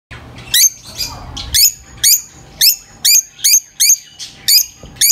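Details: Lovebirds giving sharp, high-pitched chirps, each a quick rising note with a bright overtone, about nine calls repeated roughly every half second over a quiet indoor background.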